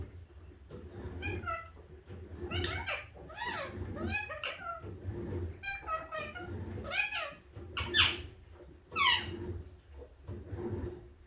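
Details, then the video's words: Pet Indian ringneck parakeet of a green-yellow mutation, a very talkative bird, chattering indoors in a room: a run of chirpy, speech-like harmonic phrases with rising and falling inflections, roughly one per second, over a low background rumble. "Beautiful Indian ring neck parrot talking"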